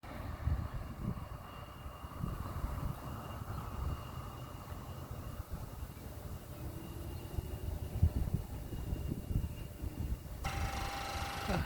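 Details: Steady low engine-like rumble, like a passing vehicle or aircraft, with a faint thin tone and a sharper burst of noise near the end; no animal calls.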